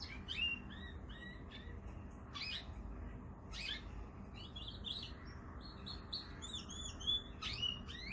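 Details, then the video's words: Canary singing over a loud hiss: scattered high chirps, short whistles and brief buzzy bursts, with a few sharp bright notes near the end. "Canary singing / Śpiew kanarka"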